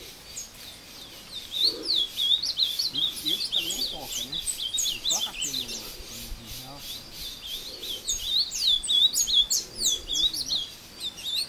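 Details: Captive ultramarine grosbeak, of a breeder's line, taken into the woods near Passos, Minas Gerais, Brazil, sings while fighting a free wild bird. High, slurred whistled phrases warble up and down rapidly. Men talk in low voices underneath.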